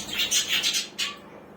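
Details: Budgerigars chirping in short, harsh, broadband notes, about five quick squawks in a row, then a single louder chirp before fading.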